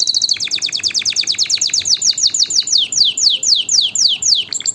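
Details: Fast repeated canary chirps, each a sharp downward-sliding note, delivered in a steady run that slows slightly toward the end.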